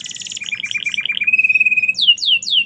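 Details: Canary singing in merlok style: a fast high trill, a run of bubbling repeated notes, a long steady whistle, then three loud falling sweeps.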